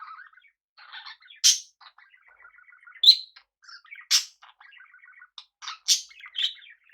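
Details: Budgerigars living alongside cockatiels as pets give soft running chatter of rapid ticking notes, punctuated by four sharp loud squawks spaced roughly one to two seconds apart.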